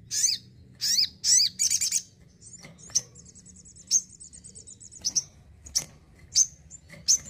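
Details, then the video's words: Crested jay kept at home, singing actively: loud, sharp, high notes in quick bursts, then a dry, even rattle lasting about two seconds, followed by single piercing chips. "SOGON GACOR"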